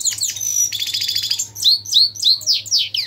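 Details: European goldfinch twittering: a buzzy rattling phrase, then a string of clear, downslurred high chirps repeated about three times a second.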